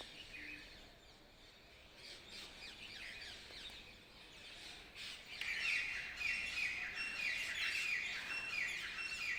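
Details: Early morning birds chirping: a steady wash of high, overlapping chirps and trills from several birds, growing louder and denser in the second half.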